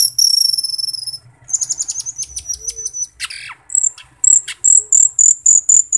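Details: Asian glossy starling, known for a very loud, ringing voice, sings a shrill high song. Long piercing whistles are followed by rapid buzzy notes, then a steady run of short ringing whistles repeated about four times a second.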